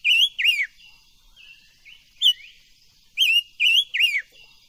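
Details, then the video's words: Silver-eared mesia song, used for voice training: loud, clear whistled notes that swoop down, given in twos and threes with short pauses between them. "Tiếng chim ngũ sắc hót hay luyện giọng ngũ sắc"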